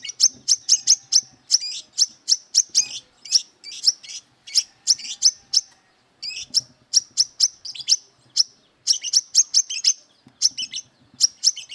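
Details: Brown-throated sunbird singing aggressively while seeking rivals to fight: sharp, very high chirps in fast repeated bursts, short volleys split by brief pauses, with faint low rustling beneath.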